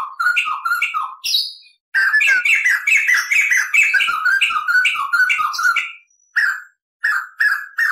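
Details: White-crested laughingthrush song used for training cage birds, full of long rolls and cackles: rapid, loud, varied phrases of whistles and squawky notes, pausing briefly before short closing bursts.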